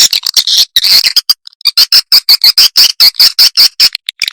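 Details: Swiftlet lure sound for calling birds in: fast, steady train of crisp high chirps, about four per second, with a buzzy twittering texture running under them, loud and clear throughout.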